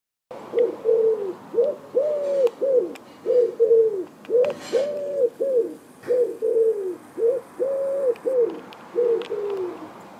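Common wood pigeon giving deep, husky coos in steady, rhythmic phrases, each about a second long, repeated one after another with no pause.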